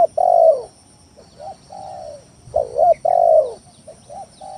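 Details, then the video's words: Spotted dove (tekukur tanah) lure song to make rivals call: strong long falling coo, softer short coos, then a double coo and another long descending coo, repeated. "Suara Pikat Tekukur Tanah full gacor Nekan lawan"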